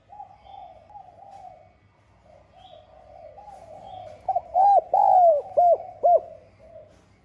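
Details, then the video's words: Calling-and-urging coo ('gáy gọi - thúc') of a Spotted dove in the 'giọng son' voice, meant to stir rivals: after a quiet murmur, a burst of four or five hooped coos, one stretched longer and sliding down, with a steady low hum behind. "Tiếng Cu Gáy GIỌNG SON [ GÁY GỌI - THÚC ] GIỌNG HẠP BỔI"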